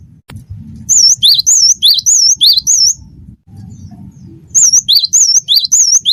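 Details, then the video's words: A cinereous tit sings wingko song, a series of clear, wavy whistles alternating high and slightly lower notes in a bouncing rhythm, two rounds of about six notes with a gap between, over a low murmuring background. "gelatik batu wingko gacor"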